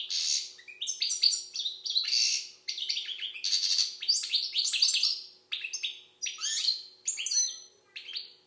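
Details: European goldfinch from Algeria delivering a long, fast stream of bright chirps, trills and downslurred twitters in bursts of about a second, each run separated by short gaps; clean background.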